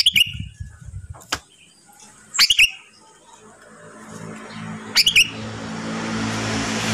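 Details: Sooty-headed bulbul singing vigorously while moulting, kept at home: three brief liquid, bubbling phrases spaced roughly two and a half seconds apart over a soft hiss and low hum.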